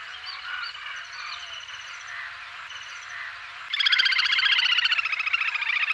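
A little grebe bursts into a loud, rapid, high whinnying trill that slowly falls in pitch, after softer twittering from other birds.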